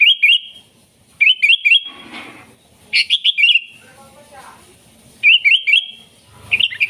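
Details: Sooty-headed bulbul, offered as a lure for wild bulbuls: short bursts of three or four bubbly, warbling notes that dip and rise, repeated after pauses of about a second, with faint rustling and low background noise between phrases.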